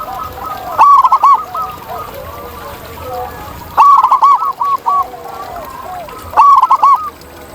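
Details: A wild zebra dove in its natural habitat sings three loud phrases of rapid, rolling coo notes, roughly every two and a half seconds. Softer cooing from other doves fills the gaps.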